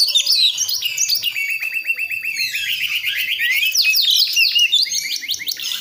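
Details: A juvenile Priangan magpie-robin from West Java forest practising song; a dense rattling series of fast clicks and chirps runs into loud swooping whistled notes and harsh scratchy phrases.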